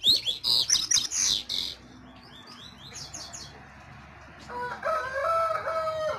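Double-collared Seedeater giving a fast burst of high, twittering chirps, then quieter notes; a rooster crows in the background near the end.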